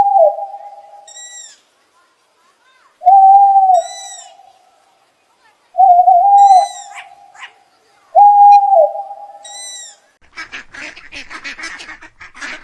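An owl gives four steady, mellow hoots, each about a second long, spaced roughly two and a half seconds apart, before a brief rush of noise.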